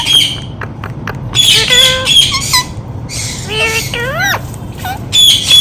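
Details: Talking ringneck parrot copying human words: bursts of gravelly, voice-like syllables with bending tones, a few upward-swooping notes and harsh squawks, coming roughly every second or two against a low background hum.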